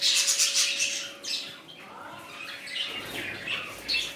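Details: Budgerigars in a new colony: loud burst of harsh chattering squawks at the start, then softer twittering and scattered chirps from the group, with a faint hum throughout.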